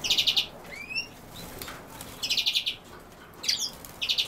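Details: European goldfinch, pictured with common sowthistle: short, rapid, high trilled bursts of four or five ticking notes, repeated roughly every two seconds, with a couple of thin upslurred whistles in between.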